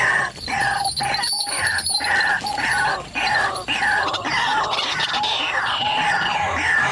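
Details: Lure recording of a white-breasted waterhen, used to attract wild birds: repeated harsh, croaking phrases, roughly two a second, forming a dense, raucous chorus with brief gaps.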